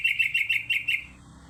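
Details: Sooty-headed bulbul used as a lure recording: a quick run of about six bright chirpy notes, evenly spaced over one second, then quiet.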